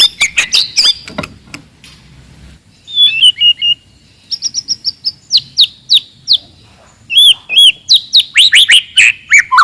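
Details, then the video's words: Wild forest white-rumped shama in loud, aggressive song meant to rile rivals: clear, sweet whistles and sharp repeated chips in fast bursts, varied phrases with short pauses, mostly high-pitched, little background noise. "KICAUAN MURAI BATU HUTAN, VOLUME KERAS, AMPUH MENAIKAN EMOSI LAWAN"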